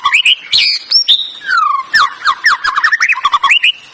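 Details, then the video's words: A canary sings a fast, varied run of bright chirps, slurred whistles and rapid trills, with pitch sweeping up and down throughout. "Canary singing, canary sound"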